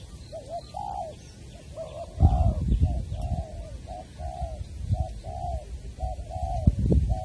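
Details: Spotted dove cooing at Long Đức, Trà Vinh, on 23 January 2020 while a decoy bird is used to trap a wild one: soft, rounded coo notes in a run of phrases, with thuds and low rumbling noise partway through.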